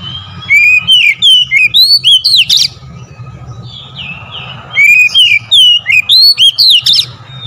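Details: Kacer, the oriental magpie-robin, in a provoking lure song: two loud bursts of rapid, sweeping whistled notes with sharp chips, separated by a quieter stretch of soft warbles over a low background hum.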